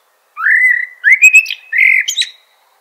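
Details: Eurasian blackbird singing a single fluting phrase: a low mellow whistle rising slightly, a brighter middle section, then a sustained warble ending in a high squeaky flourish, all in a quiet clean background.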